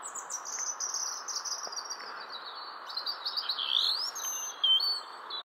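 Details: Robin song: a long sequence of high, thin, sliding whistled notes, descending then rising into sharper twittering phrases, with a faint constant hiss behind.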